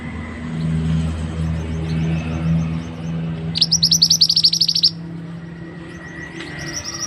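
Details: ['Recorded as tutoring material for other birds, a mantenan bird gives one rapid rattling series of thin high chips amid a steady low humming background.']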